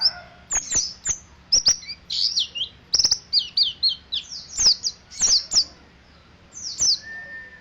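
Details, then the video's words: Ngeriwik-style singing from a dakun mountain white-eye from Ciremai: quick runs of high, sweet, slurred chirps in uneven clusters, with a brief lull near the end. Sharp ticking clicks are audible between phrases. "Pleci dakun Ciremai ngeriwik"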